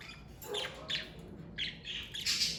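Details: Pet parakeets making short harsh squawks and scratchy chirps in uneven bursts, with one lower nasal note among them.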